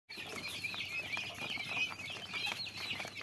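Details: Common quail chicks giving a dense chorus of high, thin peeps, many overlapping short chirps with quick rising and falling slurs, with soft scratchy rustling beneath.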